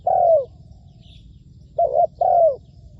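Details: Spotted dove kept as a decoy for trapping, calling from the ground. A long coo tails downward, then after a silence comes a brief arched note and another long falling coo. Soft distant chirps are heard.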